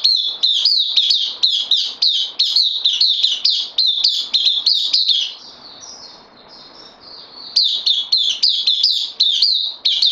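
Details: On-loan newcomer bulbul, September 2020: long streams of bright, bouncy chirps delivered rapidly, briefly broken by a softer drawn-out note and a short lull before the lively chirping run starts again.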